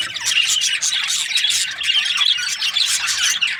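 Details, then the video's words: Budgies chirping together: rapid, busy warbling with scratchy squawks and thin whistled notes overlapping in a constant wall of chatter. "Australian parrot Budgies chirping sounds"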